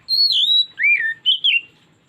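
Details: Oriental magpie-robin lure song: a single phrase of pure, loud whistles, a long high note sliding down, a rising-then-falling lower swoop and two quick twisted notes.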